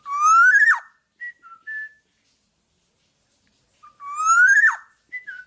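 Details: Black-naped oriole kept for teaching other birds, singing hard: two loud harsh upward sweeps about four seconds apart, each followed by a few brief clear whistles, with silence between.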